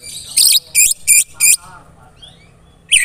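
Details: White-rumped shama in rapid-fire 'tembakan rapat' style: four loud, harsh, buzzy high bursts about a third of a second apart, a faint high whistle, then one more burst, over a low background hum.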